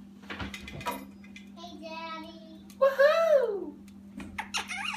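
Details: A 9.5-month-old female Congo African grey parrot gives short, speech-like chattering phrases and a loud rising-then-falling whistle, with a person talking nearby over a steady low hum.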